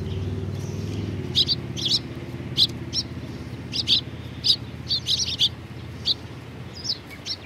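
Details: Tree sparrows feeding together at a Tenmangu shrine, 19 April 2019; brisk, evenly scattered high chirps, some doubled, continue throughout, over a low engine-like hum that fades after the opening.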